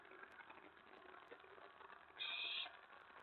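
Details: Owl at a nest at night, 24 May 2017 around 1:15–1:20 AM, during mouse and rat deliveries: one harsh, hissing screech lasting about half a second, over steady background hiss.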